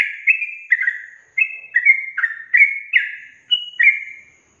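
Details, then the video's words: Yellow-vented bulbul lure for young caged birds slow to sing: a sequence of about eight mellow whistled notes in twos, each dropping slightly in pitch, ending with a brief pause. "Pancingan Trucukan SUSAH BUNYI, BAKALAN dijamin dalam menit saja langsung NYAUT GACOR"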